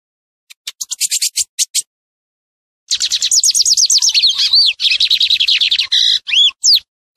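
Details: Lined seedeater song for teaching young birds during moult, opening with spaced high ticks, then a long fast chatter of repeated notes ending in loud swooping whistles.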